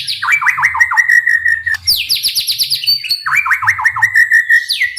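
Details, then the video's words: White-rumped shama in fast 'gacor' song with 'tembakan' bursts, played to provoke other shamas into singing; two runs of quick stacked falling sweeps ending in steady whistles, separated by high rapid notes. "MURAIBATU gacor dor full TEMBAKAN ampuh untuk memancing EMOSI murai cepat bunyi | shama bird"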